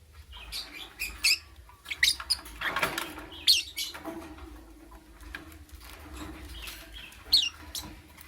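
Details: Shrill, scratchy lovebird chirps repeated irregularly in the morning, short high notes coming every second or so, with a soft rustle midway and a low background hum.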